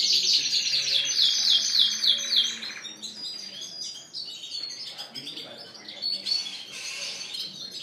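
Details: Caged canaries of Spanish Timbrado and Gloster breeds in a bird shop, April 2016: a fast series of repeated downslurred whistled notes, then scattered chirps and trills from several birds.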